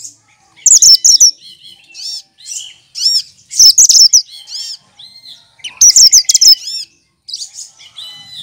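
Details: Cucak kinoy leafbird, a sweet-voiced mimic of other species kept as a tutor bird, pouring out intense chattering bursts and looping high whistles in a continuous varied medley.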